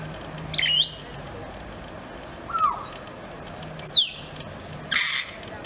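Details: A grey parrot in the Novosibirsk zoo, 12 July 2024, sings four separate phrases: bright upward-curving whistles, a falling slur and a final harsher burst, each about a second apart, with a low hum beneath.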